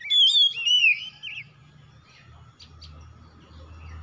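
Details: Oriental magpie-robin, a kept bird: one loud, clear whistled phrase gliding down and then wavering, lasting over a second, followed by quiet with a low background hum.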